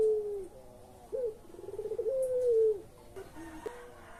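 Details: Pelung-style coo of a collared dove, played to prompt quiet birds to call: the tail of a falling coo, then a brief upslurred note, a rapid rolled trill and a sustained descending tone, with softer notes at the end.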